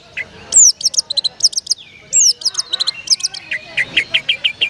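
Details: Long-tailed shrike in a songbird contest: varied high song of sharp chips, bright descending whistles and quick twittering phrases, ending with a run of evenly spaced lower notes.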